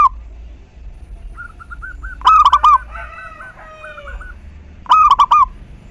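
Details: Local zebra dove song used as a lure to stir other doves into singing: two loud bursts of quick, bubbling, repeated coos, with softer cooing phrases between them and a low steady background hum.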